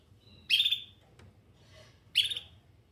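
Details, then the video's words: Canary giving two short, bright chirps about one and a half seconds apart, each a quick high buzzy note with faint soft sounds in between. "Canary Singing"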